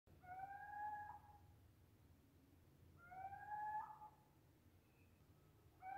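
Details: Eurasian scops owl calling at night, captured on a smartphone: a single short, mellow whistled note with faint overtones, repeated about every three seconds, over a low background hum.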